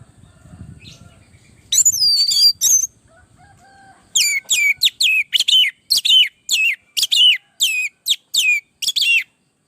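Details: Orange-headed thrush (anis merah) lure song meant to train other birds: a brief burst of varied high whistles, a pause, then a long run of sharp, sweeping whistled notes repeated steadily, faint low background noise at first.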